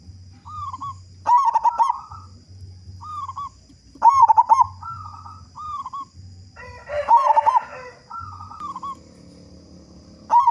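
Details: Local zebra dove with a powerful song, meant to prompt other doves: loud bursts of rapid coos roughly every three seconds, softer wavering coos between, and a brief noisy rustle partway through.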